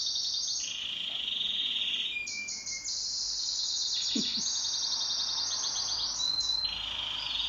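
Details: Singing pet canary, duet: rapid rolling trills alternating between higher and lower pitched tours, with a thin whistled note near the start and a brief low knock midway.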